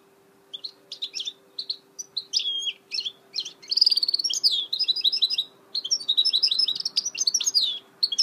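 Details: Goldfinch hybrid (mule) singing, recorded 2018: rapid bursts of high twittering and buzzy trills broken by short pauses, growing into longer warbled runs, with a steady low electrical hum underneath.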